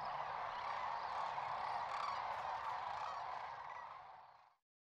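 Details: Sandhill cranes gathered in huge numbers during spring staging on the central Platte River valley, Nebraska: a dense, continuous chorus of overlapping rolling, trumpeting calls from a massive flock, fading out near the end.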